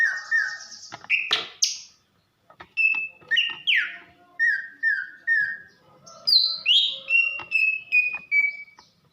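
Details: Greater green leafbird female, Banyuwangi origin, calling to excite the male: varied whistled phrases. Falling notes, then a steady series of short, even whistles at a brisk pace, ending in high slurred notes.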